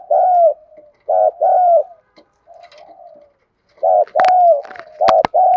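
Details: Spotted dove hen used as a decoy calls to excite males: repeated two-part falling coos with soft murmurs between, and sharp clicking knocks near the end.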